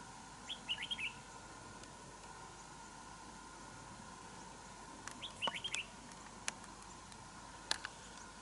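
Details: Wild red-whiskered bulbul in a territorial fight with a decoy bird at a trap: two short, bright, tumbling warbled phrases about five seconds apart, followed by scattered sharp clicks against low steady hiss.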